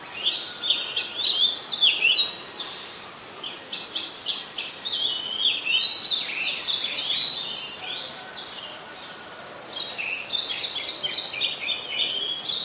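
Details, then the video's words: Oriental magpie-robin, a very common resident, singing in Ubon Ratchathani, Thailand, on 26 December 2020: varied whistled phrases of sweet slurred notes, rising and falling, delivered in bursts with short pauses over faint background noise. "นกกางเขนบ้าน Oriental Magpie Robin (singing)"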